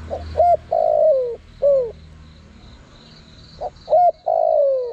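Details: Spotted dove calling as bait for wild birds. One phrase of a short note, a rising-falling note, a long descending coo and an arched coo, then a second phrase beginning, with a high buzzing backdrop.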